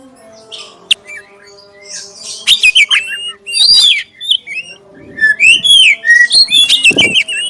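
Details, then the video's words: Black-chested oriental magpie-robin lure song for prompting other magpie-robins to sing: scattered clicks at first, then clear whistled slurs and rapid chips in short bursts during the second half. "suara pancingan kacer dada hitam suara jernih"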